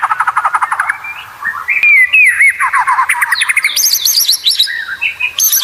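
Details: White-rumped shama competition training song: a fast low trill, then wavering whistles, chattering notes and high, sharp whistled phrases.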